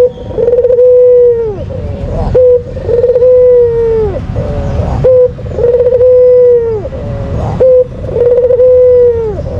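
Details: Barbary dove, white form, in full voice with its lure call: four long sustained coos about every two and a half seconds, each dropping in pitch at its end, with short notes between and steady low noise.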